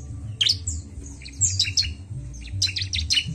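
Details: Bar-winged prinia song in a recording meant to stimulate other birds: sharp, high chirps and short buzzy bursts in three clusters over a steady low hum.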